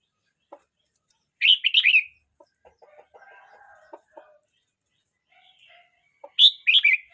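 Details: Young red-whiskered bulbul, aged 12 months 29 days, gives two loud, bright, warbled phrases about five seconds apart. Soft lower clicks and a faint hum fill the gap between them.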